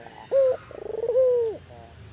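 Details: Albino collared dove calling actively: a low, steady coo, then a fast, rolling, stuttered run of notes, then a long level coo that dips at the end, with a faint high whine running underneath.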